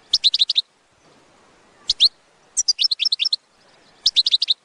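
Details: Batbata of the goldfinch, sounds used to draw goldfinches in for trapping: rapid runs of crisp, high, tinkling chirps, six or more per burst, repeated four times with brief pauses.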